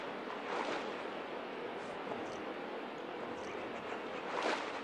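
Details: Steady broad rushing noise like a passing vehicle or wind, with no animal voice.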